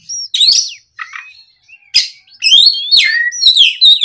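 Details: Oriental magpie-robin lure song on an afternoon, loud gacor ngeplong delivery to prompt young magpie-robins to sing back: thin whistle, gap, soft low notes, then a dense fast run of sharp whistled phrases.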